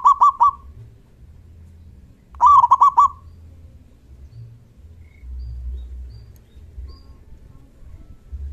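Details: Loud local zebra dove calling to get other doves to answer: two short rolling phrases of quick, throaty, pulsing coos about two seconds apart, followed by low background rumble.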